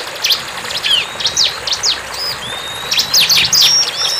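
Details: Bar-winged prinia in the wild, singing energetically: rapid, high, sharp chirps and down-slurred notes with a few thin, drawn-out whistles. The bursts come irregularly over quiet background hiss.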